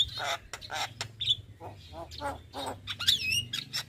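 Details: Lure recording of a white-eyed Javan myna (jalak kebo) to coax quiet birds into song: grating harsh notes broken by a couple of sharp whistled upslurs, with a low hum beneath.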